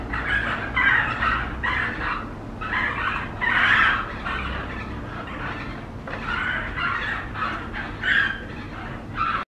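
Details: A young rescued flamingo chick, abandoned when drought dried its dam and now in rehabilitation, gives rapid, nasal, squeaky begging calls in quick bursts while being syringe-fed formula, over a low, steady background rumble.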